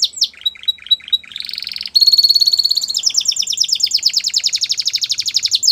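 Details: Canary song meant for training young canaries: short chips and a thin steady whistle, a buzzy roll, then a sustained tone leading into a long rapid trill of repeated notes.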